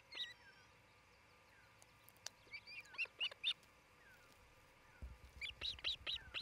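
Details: At a Charlo, Montana osprey nest, camera audio from midday on 27 June 2018 carries bursts of shrill, slurred whistled chirps, one cluster mid-recording and a faster string of six or so at the end, with faint low rumble.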